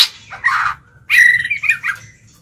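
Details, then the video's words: Caged white-rumped shama used as a lure bird, singing to provoke and challenge other birds: two short loud phrases, a harsh burst then a bright warbled run of notes, with a low hum underneath. "Chích chòe lửa mồi hót gọi bổi"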